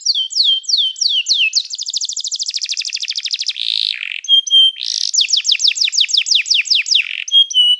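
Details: Canary in full training song: descending whistles lead into a fast, even trill. A harsh buzz breaks in, then a run of bright rising notes repeats quickly.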